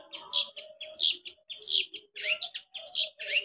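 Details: Long-tailed shrike in lively full song with sharp 'tembakan' shot variations: bright, high whistled and chattering phrases, each about half a second, given in quick bursts separated by short gaps, with some low notes underneath.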